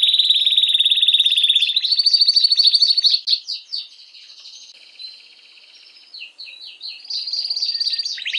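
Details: A canary sings to arouse females for mating, delivering long rapid trills that step upward in pitch, then a softer passage of quick falling chips and a quiet pause before a strong high trill resumes.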